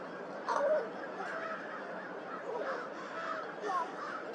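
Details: Crow giving an unusual call at Twin Lakes on March 18th, 2023: one loud, harsh, broadband burst near the start, then softer, rougher notes later, over a steady background hiss.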